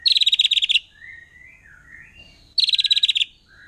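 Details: Forest-dwelling wild white-rumped shama whose song is said to rile other shamas: two short bursts of rapid, harsh trilled notes. Soft, thin rising and falling whistles fill the gap between the bursts.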